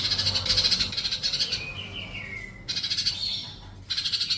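A sunbird sings in high, rapid buzzy trills, broken by a thin whistle sliding downward, then more fast chattering bursts.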